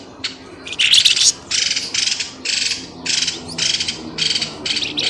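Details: Raucous bird calls from a lure recording used to flush birds out of undergrowth: a series of harsh, hissing squawks of similar length, evenly spaced, opening with a brief crackling flurry.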